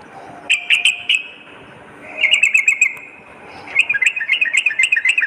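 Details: Sooty-headed bulbul in spirited song for luring and tutoring, morning and night: a few spaced chirps, then a quick run of bright notes, and a final rapid, rolling string of chirps.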